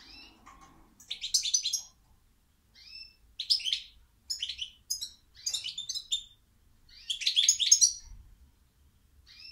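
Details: Goldfinch singing a lively, fast sequence of jangling twitters and short buzzy trills, phrases tumbling together almost continuously for nearly ten seconds.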